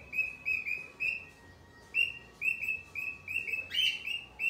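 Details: Cockatiel calling with clear, high chirps in rapid series, ending in a louder, sharper upward-sweeping call among the repeated notes.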